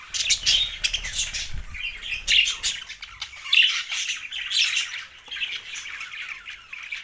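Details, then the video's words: Group of budgies giving high, rasping chirps and warbling chatter, loud peaks every second or so over steady twittering. "Budgies parrot best chirping sounds"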